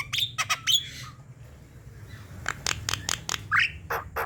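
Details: Javan myna singing, meant to stimulate reluctant birds: sharp clicks with short whistled notes, a pause, then a series of dry rasping clicks and one rising squeal.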